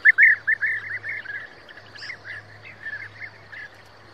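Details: European bee-eater with a fast series of rolling, trilled notes, loud at first then softer and more spaced, about two per second later on; low hum behind.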